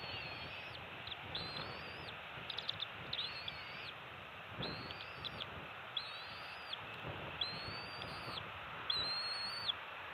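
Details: Bald eagles at a nest on Captiva/Sanibel Island, Florida, with two-week-old eaglets on 27 December 2020, during an early-morning shift change and a fish feeding. Thin, high, arched chirps with harmonics come about once a second over steady hiss and wind.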